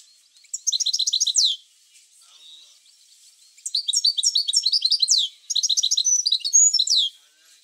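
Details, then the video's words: European goldfinch singing, played to stimulate goldfinches into song: three bursts of fast, bright, high twittering phrases with liquid trills, separated by short pauses. "اروع بتبتة لتحفيز الحسون على التغريد"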